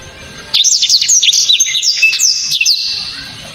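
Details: Black-throated Canary (blacktrod) song with loud, sharp, very clear 'shots': a rapid burst of high, thin whistled notes and quick upslurs and downslurs, dense and jerky, running for about two and a half seconds against quiet background hiss.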